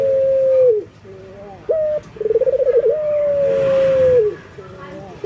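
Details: Mating call of a breeding male local collared dove summoning females: long steady coos and a fast throbbing trill, with short rising notes in between and a soft hiss in the background.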